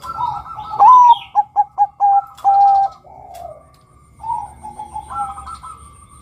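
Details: Bangkok zebra dove male, calling to draw out other males: one full phrase of a rising whistle-like opening, four fast clipped coos and a long level coo, trailing into softer, lower murmured cooing.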